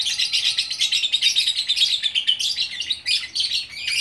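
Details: A lovebird from Bukittinggi, West Sumatra, pours out unbroken gacor orkestra song: rapid, high, rasping twitter with shrill squeaks, pulsing several times a second without a pause.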